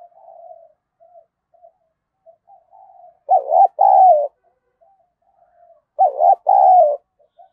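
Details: Decoy spotted dove calling to provoke fighting: quiet scattered soft coos at first, then two loud phrases, each a short wavering note followed by a longer mellow coo.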